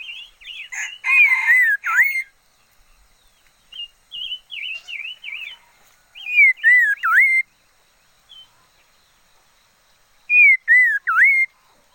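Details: Red-faced liocichla used as a decoy bird, alternating loud swooping whistled phrases with quieter wobbling warbles, the loud phrases returning every few seconds with silent gaps between.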